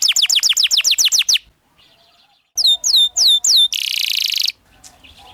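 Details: Canary singing as a master song for training young canaries, in the rolling ngerol style: rapid repeated downward-sweeping whistles, then a pause, hooked high notes at a slower pace, and a dense buzzy trill.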